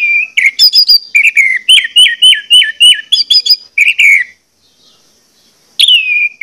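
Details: Orange-headed thrush lure song for getting birds to sing: a fast series of similar whistled notes repeated about four times a second, then a pause and a single downslurred whistle.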